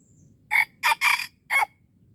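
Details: Red junglefowl, wild and being lured in Darul Kamal, Aceh, delivers a sharp four-note crow, loud and grating, with a brief gap before the final note; faint rumble in the background.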